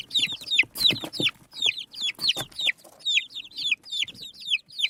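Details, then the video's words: Desi chicken chicks eating rice, peeping constantly: a flock of high, thin, down-slurred cheeps overlapping several times a second, with soft pecking and rustling underneath. "Chicks Chirping Sounds"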